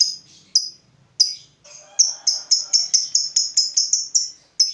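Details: Captive fighter lovebird, agitated at seeing a rival, giving sharp high chirps, a few spaced notes then a fast run of about a dozen repeated clipped notes.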